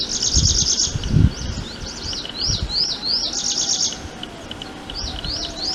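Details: A prinia (वटवट्या) alternates buzzy trills with series of quick, up-slurred chirps, repeated steadily, with faint low noise beneath.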